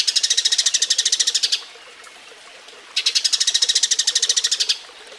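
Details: Eurasian tree sparrow mating chatter serving as a model for training songbirds: two bursts of rapid, evenly spaced, high chirps, each about one and a half seconds long, separated by a quiet gap.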